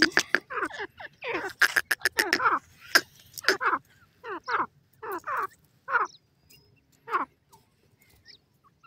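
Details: Grey francolin (teetar) in a forest: a run of short, harsh, downward-slurred notes, quick and crowded at first, then spaced out to about one per second, with a few sharp clicks in between.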